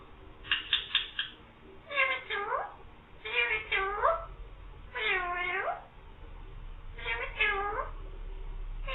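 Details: Green parrot talking, "mian mithu meow"; a quick run of short clipped notes, then five swooping, harmonic meow-like phrases, each falling and rising, about every one and a half seconds.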